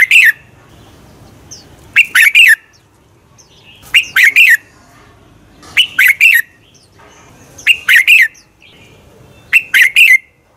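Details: Fighting song of a red-whiskered bulbul, used as a lure to train and excite other bulbuls; six quick, emphatic warbled phrases of two to three notes, repeating roughly every two seconds over a quiet background.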